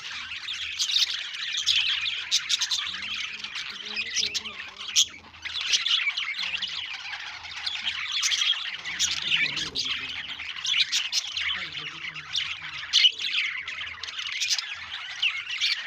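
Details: Budgerigars (Melopsittacus undulatus) chatter steadily in a dense, scratchy stream of high chirps and squawks.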